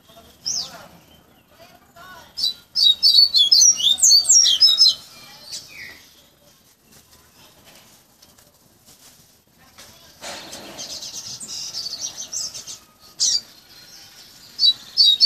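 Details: Double-collared Seedeater, a caged coleiro baiano hand-tutored from a nestling to a fluted song, delivers a burst of rapid, high whistled phrases, pauses in near silence, then gives shorter fluted bursts amid a faint background rustle.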